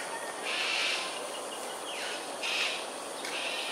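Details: Harsh, grating screeches from cockatoos in aerial display at Sungei Ulu Pandan, Singapore, early morning of 13 January 2022 at 7.43 am. Two or three rasping bursts with short falling notes between them, and a constant insect drone behind.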